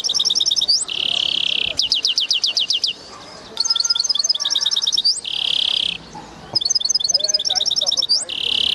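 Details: Caged hybrid European goldfinch singing fast repeated tinkling phrases broken by long buzzy nasal notes, in a lively stop-start pattern over several seconds.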